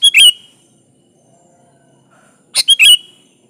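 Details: Sooty-headed bulbul (kutilang) singing to call a rival: two short bursts of bright chirping notes, the first brief near the start, the second a quick cluster of three bubbly phrases after a long quiet gap.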